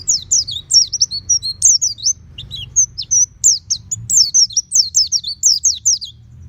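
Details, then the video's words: Pet oriental white-eye singing the ngeplong style with open beak: energetic chattering runs of high, twisting, slurred notes, almost continuous, with a short softer patch before resuming loudly. "Terapi Pleci Rumahan Agar Cepat Bunyi Ngeplong Full Buka Paruh"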